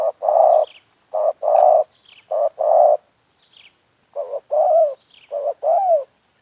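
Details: Spotted dove during a trapping session coos in low, soft phrases: a brief note, then a longer rolling coo, repeated about every second. Faint high whistles and a thin steady tone sound behind.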